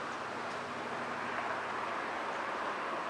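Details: A steady broadband rumble of distant traffic or a passing train fills the clip, with no animal calls standing out.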